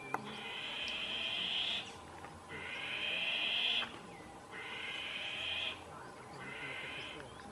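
Yellow-headed Caracara giving four long, harsh, hissing screams, each over a second long, repeated about every two seconds, over faint background hiss.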